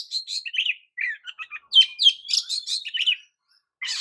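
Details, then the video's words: Oriental magpie-robin song meant to stir up other magpie-robins, a fast jumble of chirps, short buzzy notes and quick whistles packed into about three seconds before a brief pause. "JENIS KICAU KACER TERAMPUH JADIKAN KACER AMAPAT LANGSUNG TERPIKAT EMOSI!"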